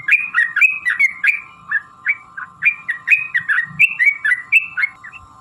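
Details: Sooty-headed bulbul singing a long 'ropel' lure phrase to prompt other bulbuls, said to be a female calling a male: bouncing whistled notes in a lively series over a steady low whistle-like tone throughout.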